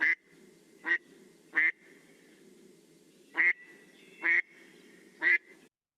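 American Black Duck giving six rough, nasal quacks, unchanging in pitch, in two sets of three about a second apart, over a low background murmur.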